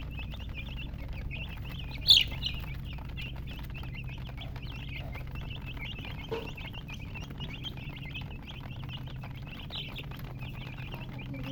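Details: Young chicks giving soft high peeps in a steady stream, one loud sharp click early on and a quieter thud later, low hum in the background.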